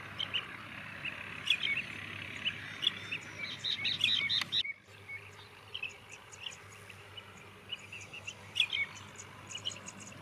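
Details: Four common mynas (Indian myna); a varied run of chirps, squeaks and short whistled notes, high and clustered in bursts, loudest around four seconds, quieter sparse calls after a brief cut midway, with a steady low hum behind.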